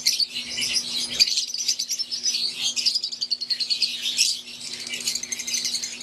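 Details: Continuous high-pitched chatter from an aviary of green wild-type Fischer's lovebirds with Euwing: quick pulsing chirps running together, briefly louder around the second mark, over a faint hum.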